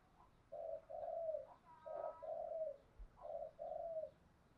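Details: Spotted dove cooing for training trapping decoys, heard at a distance over background hiss: three repeated phrases of low coos, each a short note then a longer falling coo, roughly every one and a half seconds.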